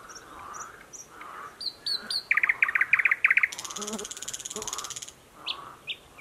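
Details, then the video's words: Thrush nightingale, recently returned, in thick streamside growth in Belarus's Mogilev district on 11 May 2021: high thin notes, a hard rattling trill, then a buzzy hiss, with a pond's frogs chorusing low in the background. "Поет восточный соловей."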